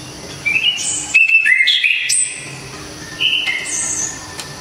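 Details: Orange-headed thrush in Java, loud sharp clear 'tembakan' song used for tutoring songbirds: a short rising whistle, then a run of bright slurred notes and high squeaky phrases in two bursts separated by a pause.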